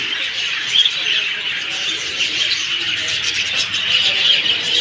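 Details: Many birds chirping at once in a continuous high-pitched chorus, with a few brighter individual tweets standing out near the start and end.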